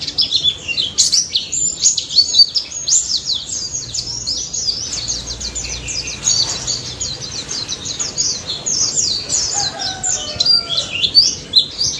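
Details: White-eye (pleci daput) singing continuously in a lively wild-style burst, used as a lure for silent white-eyes: rapid high twittering and sharp chirps, dense and unbroken for twelve seconds, with faint lower whistled notes near the end.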